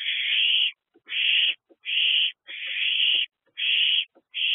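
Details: Three owlets in a nest box at night, one or two being brought food, on 22 April 2024 at 8:35 pm. They give harsh, raspy hissing screeches about a second long, repeated steadily with short silent gaps between.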